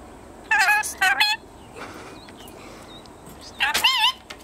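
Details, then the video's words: Ten-month-old male red-collared rainbow lorikeet kept as a pet, talking: two quick wavering voiced syllables, a faint murmur, then a louder rising and falling throaty phrase with a harsh edge, over a quiet indoor background. "Talking lorikeet"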